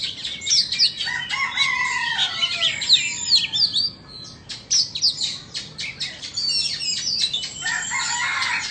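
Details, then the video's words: Vietnamese and Indonesian Oriental magpie-robins in a singing contest trade rich, varied song of clear high whistles, quick trills and harsh clicking notes, with phrases tumbling rapidly one after another. "Chòe than VN đấu với Chòe Than Indo"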